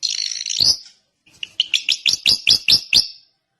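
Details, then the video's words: Drongo singing a scratchy warbled phrase ending in an upward note, a pause, then a series of bright, clipped chirps roughly every fifth of a second. "kicau burung srigunting"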